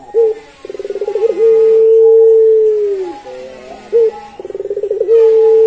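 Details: Barbary dove, pelung type, delivering its long melodious song: a loud short note, a rippling pulsed trill, then a sustained steady coo lasting nearly two seconds before dropping in pitch. The phrase starts again about four seconds later.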